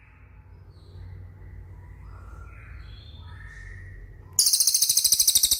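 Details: Training recording of a cililin for prompting caged birds: faint soft chirps and background hum give way to a sudden loud, rapid, high-pitched pulsed trill.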